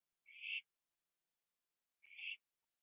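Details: Owl feeding on a gopher on a porch at 11:15 PM, September 2011, later flying to sit with a second owl in a tree; a pair of breathy, scratchy screeches under two seconds apart.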